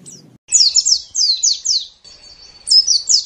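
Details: Japanese white-eye song recorded as tutor material: clean, high, descending slurred whistles in two quick runs separated by a thin sustained high note, in otherwise quiet surroundings.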